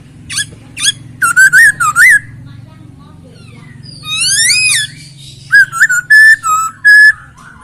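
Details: Masked laughingthrush delivers wavering whistled phrases, a long arching whistle, then a series of evenly spaced clear whistled notes, over a low humming background.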